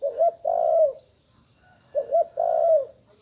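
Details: Spotted dove still learning its call gives two matching cooing phrases about two seconds apart, each a short hoarse note followed by a longer drawn-out coo that dips slightly at the end.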